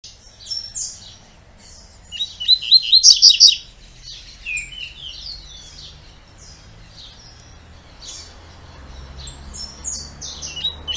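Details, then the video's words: Double-collared seedeater, the two-note "tui tui" song style: a burst of bright, high whistled and buzzy notes near the start, followed by scattered sweeping chirps, some falling in pitch, through the rest. "COLEIRO DE GOLA TUI TUI 2 NOTAS"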